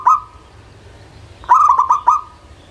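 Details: Local zebra dove: one sharp clipped note, a pause, then a quick stuttering run of four or five bright staccato notes. No drawn-out coos. Faint low hum in the background.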